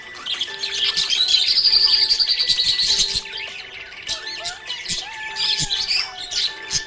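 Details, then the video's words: Happy budgie chirping, a fast high warble of twittering notes that swells loudest in the first three seconds, then breaks into scattered chirps over a steady low background hum. "Happy budgie chirping sound"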